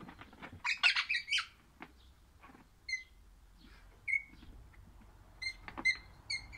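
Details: Crimson rosella, orange colour form, singing: a cluster of harsh chattering notes, then clear ringing whistled notes spaced about a second apart, ending in a quicker run of whistles.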